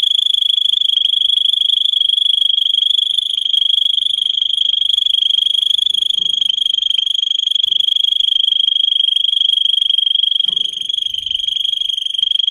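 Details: Russian canary bred for song, used as a tutor for other canaries: one long, unbroken, even rolling trill at high pitch, sustained for over twelve seconds with a few faint low sounds in the background.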